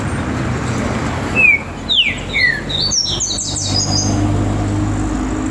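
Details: Great saltator during a warm-up session with another bird: a burst of loud, falling whistled notes, then a quick cluster of higher whistles, with strong low mechanical noise underneath.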